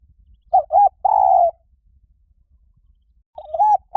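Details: Spotted dove used as a lure: a two-part coo and long drawn final note, a long silence, then the phrase starting again with two rounded coos at the end.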